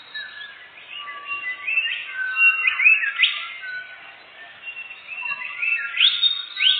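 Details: Canary song used as a lure to catch birds. Varied warbling runs alternate with loud, sweeping rising notes in bursts, then a quieter pause before another burst of chirps.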